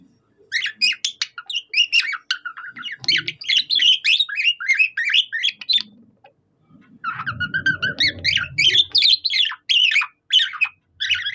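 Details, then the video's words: Pet budgie singing in the manner of a cockatiel: nearly continuous rapid chirping and whistled trills about three notes a second, one brief break, and a soft low rumble during the second half. "A budgie that sings like a cockatiel"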